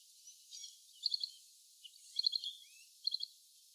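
A little green bee-eater gives short bursts of three or four high, sharp chirps, about one burst a second, over a quiet background.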